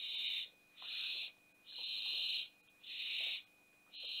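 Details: Barn owl at a nest box in Théding, France, on 20 September 2021, when the youngest owlet fell out. Rough breathy hisses, each about half a second to a second long, repeat roughly once a second over a thin constant hum.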